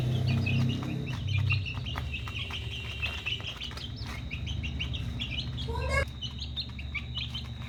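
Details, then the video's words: Chicks at dinner time: a dense chorus of short, high peeps overlapping rapidly, several per second, over a steady low hum, with a loud low rumble at the start and a quick rising sweep near the end. "Dinner time chicks"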